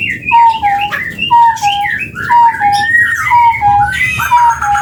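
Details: An Indonesian endemic of West and East Java, the chestnut-bellied partridge, sings its long call as paired, down-slurred whistles repeated about once a second, while other birds chatter and trill at higher pitch.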